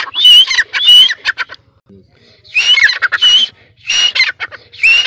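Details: Hand-raised dakhni teetar, a francolin from Sindh kept caged on a perch, calling in harsh, grating bursts laced with rising whistles, three loud phrases separated by short pauses, over a faint steady low hum.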